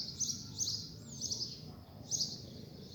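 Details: Coleiro singing after a rain shower: high, sharp chirped notes repeated about every half second, with one short sliding whistle and low background hum.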